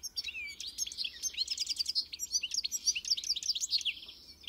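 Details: European goldfinch song, likely a caged bird used for song training: rapid liquid twittering with tinkling notes and buzzy trills, dense and continuous high phrases.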